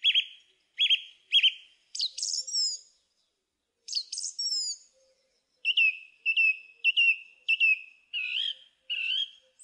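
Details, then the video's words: Song thrush singing: a clear whistled phrase repeated three times, then a pair of twittering high flourishes, then a short ringing note repeated five times and a double note at the end. "Song Thrush Singing"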